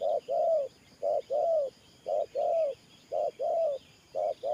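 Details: Spotted dove used as a trapping decoy, cooing in the 'Thổ Pha Nước Gù' style; clear low coo pairs, a clipped note then a longer gently falling one, repeated steadily.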